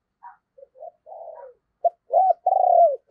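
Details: Caged spotted dove kept as a lure bird, cooing to draw in wild doves: short soft notes, then a rising, bending coo and a long throaty rolled coo ending lower, in a quiet setting.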